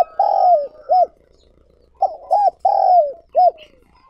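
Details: Decoy spotted dove calling to lure and provoke wild doves: a long coo falling at its end, then a short arched note, a pause, and the sequence again with a brief lead-in note. Mellow, hollow tones, with no other sounds.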